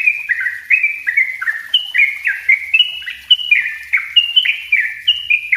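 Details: Packed 'ropel' song of a yellow-vented bulbul as a lure and master recording: lively nonstop sequence of bubbly whistled notes, jumping between higher and lower pitches about three times per second.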